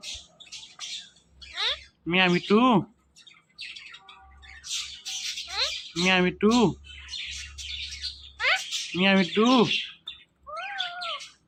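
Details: Talking Indian ringneck parakeet, a pet bird, producing several wavering, speech-like voiced phrases with wobbling pitch between breathy, scratchy noises, ending with a short two-tone whistle. Faint music is also present.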